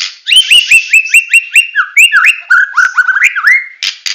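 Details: White-rumped shama from Medan in full 'tembakan' song: rapid repeated whistled notes rising near the same pitch about twice a second, then a varied run of slurred, dropping whistles and harsh bursts.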